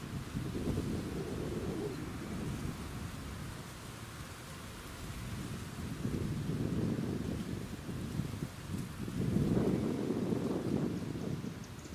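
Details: Rolling thunder and steady rain, with no animal voices heard.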